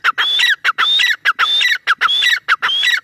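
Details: Grey francolin calling in a fast, steady rhythm: loud three-part phrases, a harsh note, then a high whistled rise dropping into a slurred ending, repeated about every 0.6 seconds.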